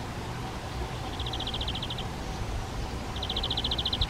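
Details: Spotted flycatcher at a half-open nest box on the back wall of a garden shed, parents feeding nestlings flying insects; two rapid trains of short high ticking notes, each about a second long, over a low steady rumble.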